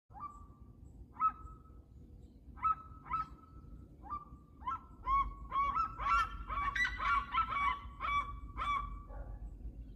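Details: Red-legged seriema song: loud yelping notes, at first spaced about a second apart, then quickening into a dense, excited series of sharp barking yelps over a low background rumble.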